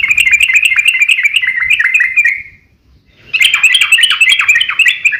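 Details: Sooty-headed bulbul in long fighting song, a lure to provoke other bulbuls into singing: fast, rich bubbling whistles in a dense chattering run, a brief pause, then the same excited phrases resume.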